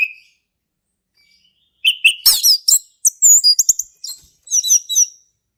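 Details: Wild male orange-headed thrush, ngeplong song: a long silence, then a lively phrase of high, crisp whistles and rapid twittering notes mixed with chattering elements.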